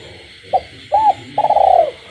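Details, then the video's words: Captive spotted dove calling at night in the countryside. A short note and a rounded coo lead into a long, quavering, rolled final coo, while frogs call steadily in the background. "cu gáy trong đêm, cu nuôi avi gáy ban đêm hòa cùng tiếng ếch nhái"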